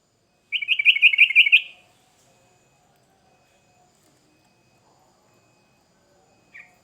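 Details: Sooty-headed bulbul giving an energetic lure phrase: a quick, even trill of about ten bright, bubbling notes lasting a second, then quiet and one short closing note.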